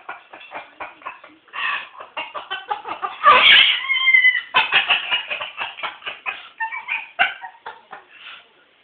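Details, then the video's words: A spirited 5-year-old pet Moluccan cockatoo laughs in a run of quick, chopped, laugh-like squawks, rising to a louder harsh screech midway, then stuttering on in uneven bursts. "Cockatoo laughing"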